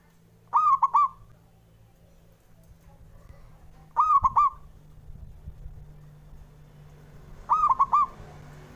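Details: Male zebra dove singing to provoke rivals: three short, rolling coo phrases, each a smooth hollow note followed by two quick trills, spaced about three and a half seconds apart, with faint background noise.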